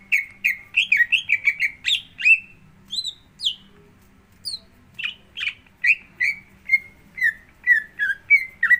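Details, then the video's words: Greater green leafbird song used as a prompt to make another leafbird sing: a lively run of clear whistled and chirped notes, rising and falling, delivered in quick bursts with short pauses and a few higher sliding phrases. "Pancingan Untuk Cucak Hijau Agar Mau Bunyi"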